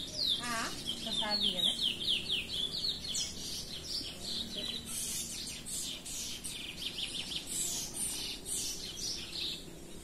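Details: Chestnut-bellied seed finch (curió) singing while loose, a song style from Belém: rapid series of high whistled notes sliding downward, repeated about twice per second, forming a long varied warbling phrase.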